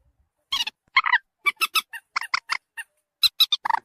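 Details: Lure recording of common moorhen calls meant to bring birds close. A varied run of short, harsh, squeaky notes, some doubled, spaced unevenly over the clip.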